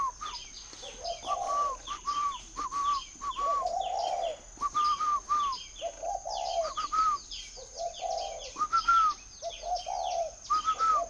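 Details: Spotted dove at a dove-keeping farm near Hanoi, Vietnam, giving phrase after phrase of whistled notes and soft low coos, about every two seconds, under a dense chorus of chirping small birds.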